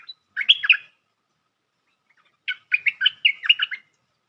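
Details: Lure sound for trapping a bulbul, known as merbah lekir: a short cluster of bubbly notes, a silent gap of about a second and a half, then a longer quick chattering phrase of roughly eight notes.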